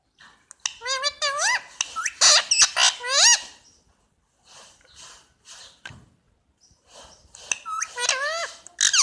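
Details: Pet Indian ringneck parakeet chirping indoors: bursts of loud, ringing upslurred chirps, several in quick runs, with pauses and softer scratchy notes between.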